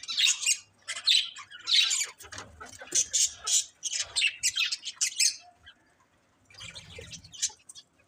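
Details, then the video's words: Colourful budgerigars chirping in rapid, rhythmic bursts of high scratchy notes for about five seconds, a short pause, then another chattering phrase. "Cute Colourful Budgies Chirping Sounds"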